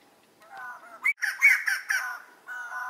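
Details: White-crested laughingthrush (Garrulax leucolophus) giving its laughing call. Nasal, harmonic hooting notes swell into a burst of loud, harsh cackling syllables, then fall back to softer nasal notes.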